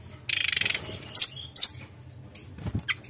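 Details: Javan whistling thrush in a brief fluting, rolling song (nyuling ngerol): a buzzy rattling trill, two sharp squeaky notes and a few soft whistles.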